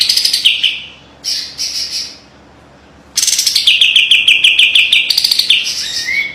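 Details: White-eye (kapas tembak) singing a sharp master song for training birds, featuring close rapid 'besetan' phrases. Short bright bursts separated by pauses, then a long fast series of high clipped notes ending in a rising whistle.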